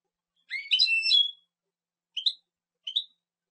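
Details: Jilguero, or European goldfinch, gives a short warbled phrase of buzzy, tinkling notes, then two separate rising chirps about half a second apart. The setting is quiet.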